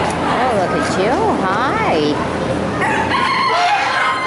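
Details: Rooster crowing among roosters and hens in a poultry barn: a drawn-out wavering crow rising and falling in pitch over about two seconds, followed by higher calls from other fowl over steady barn noise.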